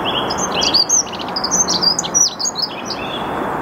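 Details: Early-morning dunnock song from the Saarn-Mendener Ruhraue near Mülheim an der Ruhr, 8 March 2022, 08:55, Canon EOS R5: hurried high twittering phrases with a few lower notes, a song thrush also singing, constant low rumble underneath.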